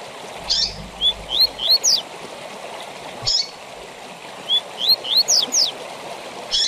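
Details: Double-collared seedeater song of the tui tui zel zel type, used for training captive birds. Two matching phrases of upward-sweeping whistles ending in steep downslurred notes, each opened by a brief harsh note, over a water-like hiss.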